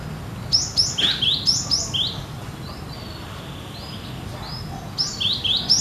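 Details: Gelatik batu, the Cinereous tit, in full song, said to sound as in the wild: sharp two-note phrases dropping in pitch, fired rapidly, then a spell of faint thin notes before the rapid phrases return.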